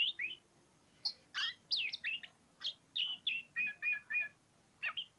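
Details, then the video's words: Oriental magpie-robin giving ngobra song, a lively mix of chirps, downslurred whistles and a short triple of repeated trilled notes near the end, with brief gaps between phrases. "KACER POCIKU NGOBRA NGOBRA"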